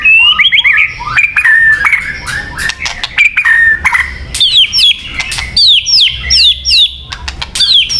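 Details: ['White-rumped shama song for luring: bright, high whistled phrases, short warbled motifs repeated several times, mixed with sharp clicks and buzzy bursts in a lively, continuous delivery.']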